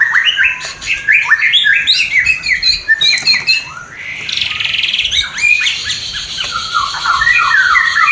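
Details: Mating call of a White-rumped shama, newly paired and not yet producing, played to stimulate breeding desire: energetic, jumbled song of quick whistled notes, harsh squawks and a brief buzzy passage midway.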